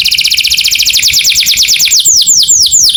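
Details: Morning song of a canary, a fast sweeping trill that slows into longer, deeper swooping notes near the end, all high and bright, with a thin continuous high tone overhead.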